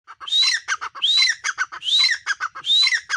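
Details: Female grey francolin calling: loud repeated phrases, each opening with a rising whistled note then a run of short harsh chattering notes, about four phrases in quick succession with no other sounds.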